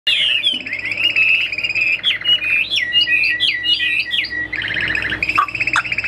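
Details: Caged Chinese hwamei kept for sale in Vietnam sings loud, rich slurred whistles that sweep up and down, strung into fast varied phrases with a brief pause before higher bright notes.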